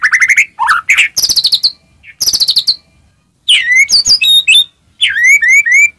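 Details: White-rumped shama song meant to stir other shamas to sing: short bursts of fast rattling notes alternating with bright upslurred whistles, separated by brief silences.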